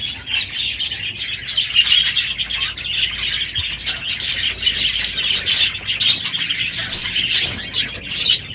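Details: Dense dawn-time chatter from a packed budgerigar aviary late in the breeding season; constant high chirping and scratchy warbling with occasional sharper squeaks stand out.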